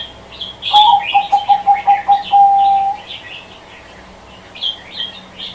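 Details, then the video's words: A zebra dove sings a loud, rapid run of about ten clipped coo notes at a steady pitch, ending in a drawn-out note. Higher chirps from other small birds twitter over it and after it. "Suara Kicau Burung Perkutut | Doves Chirping Sounds"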